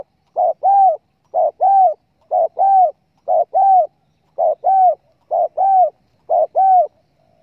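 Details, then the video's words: Spotted dove coos played as a lure for bird hunters: paired notes, a short burred note then a longer arched coo, repeated steadily about once a second, seven pairs, clean and quiet. "pancingan suara burung TEKUKUR"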